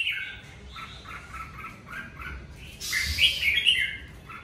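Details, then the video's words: Red-whiskered bulbul in the covid season: a run of quiet, repeated whistled notes, then a louder, scratchy warbling burst with sharp high squeaks. "Chào mào hót mùa covi"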